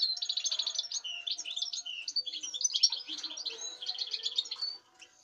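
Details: European goldfinch singing a fast, continuous run of tinkling, twittering notes and short trills, steady for nearly five seconds before stopping.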